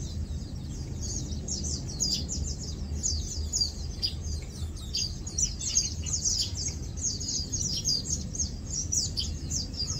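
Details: Several Lowland white-eyes feeding, preening and resting give a constant stream of high, thin twittering chirps, many birds overlapping throughout, with a low background hum underneath.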